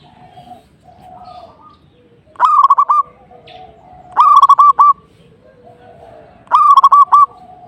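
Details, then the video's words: Phrases of rapid, stuttering coos from a zebra dove in full song to provoke a rival, roughly every two seconds, with soft steady tones and low rumble between them. "KICAUAN PERKUTUT GACOR|| LAWAN LANGSUNG EMOSI"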